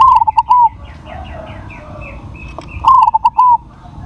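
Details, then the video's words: Crossing zebra dove with a large voice repeating its cooing phrase, clipped quick notes then a long sustained coo, twice within a few seconds; other small birds chirp faintly between phrases. "PERKUTUT CROSSING SUARA BESAR"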